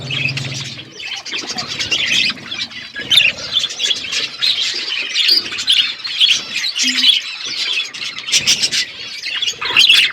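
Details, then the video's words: Several budgerigars on a winter morning give dense, continuous chatter of quick high chirps, squeaks and warbled notes overlapping throughout, with a brief low hum at the very start. "Budgies enjoying winter morning birds chirping sounds"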